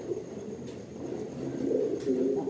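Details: Racing pigeons prepared for summer breeding. Quiet low coos build into louder, bubbling, wavering phrases in the second half.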